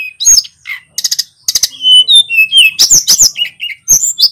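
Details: Local male Hill Blue Flycatcher from Pacitan singing busily, rolling through varied borrowed phrases. Rapid ticking stutters give way to smooth falling whistles, then a dense flurry of high slurred and scratchy notes.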